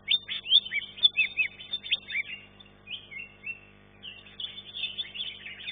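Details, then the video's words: Green leafbird competing in a first-class contest, third-place finisher: bursts of bright chirps and slurred whistles, a pause near three seconds, then longer drawn whistled notes resuming. "KELAS KE 1 CUCAK IJO"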